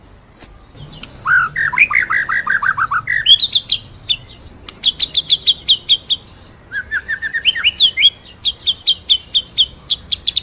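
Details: Murai batu (white-rumped shama) masteran song in full ngerol style with nembak bursts: a descending run of whistled notes, then rapid trains of repeated high chips broken by short fluty phrases.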